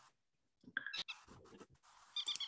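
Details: Common Moorhen giving sharp, abrupt high notes in two short bursts, with a man faintly speaking between them. It is played in a talk on identifying nocturnal migrants by sound, after Bar-tailed Godwit calls, as a surprisingly similar-sounding example.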